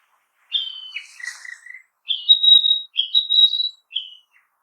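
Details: Narcissus flycatcher song in a forest: a varied phrase of falling slurred whistles with a soft buzzy note, then two sustained, sweet, high whistled notes and a short closing whistle, with no other sounds.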